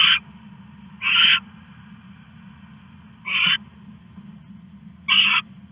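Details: An owl hiding a rat at night, 1:41 AM on August 21, 2015, gives four rasping hiss-screeches with long irregular gaps between them, accompanied by a constant low-pitched hum.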